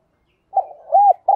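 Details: Decoy spotted dove calling in thúc bổi style: a soft wavering lead-in, a clear arched coo, then the start of a longer note cut off at the end.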